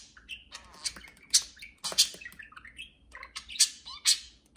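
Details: Two pet budgerigars indoors, flying freely around the house and talking to each other: a busy mix of short chirps, harsh squawks and soft warbling rising and falling notes, with a low steady room hum beneath.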